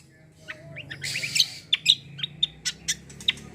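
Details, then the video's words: Cucak kombo in full song, played to provoke other birds to sing; a quick twittered phrase followed by spaced, piercing high chips roughly every quarter second over low background hum. "KECIAL KOMBO CUCAK KOMBO GACOR FULL TEMBAKAN BESETAN || UNTUK PANCINGAN BUNYI BURUNG BAHAN"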